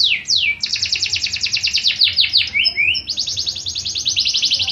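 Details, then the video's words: Canary in fighting style singing a training song: two downward slides open into fast rolling trills, a couple of quick upward sweeps, then another even trill. "KENARI. Masteran burung Kenari Petarung"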